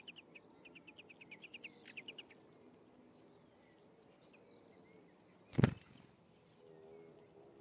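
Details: A male and female European greenfinch at their nest, recorded 1 May 2015. Fast chirping bursts fill the first two seconds, then it goes quiet until a single loud knock partway through.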